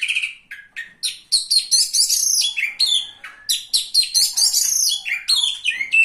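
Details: Oriental magpie-robin singing at a bird singing contest, where it took third place, 17 April 2023: a loud, varied run of rapid whistled and buzzy phrases, sweeping and chattering, with brief gaps.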